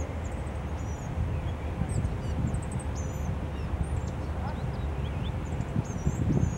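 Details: Blue-gray gnatcatcher recorded April 4, 2023: thin, high, short call notes scattered through the clip, some slurred or hooked, over a steady low rumble of wind or distant traffic.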